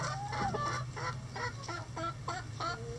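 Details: Chickens in a coop at a chicken rescue sanctuary on a sunny day give a rapid series of short, nasal, rising clucks, about three per second. A low steady hum runs underneath.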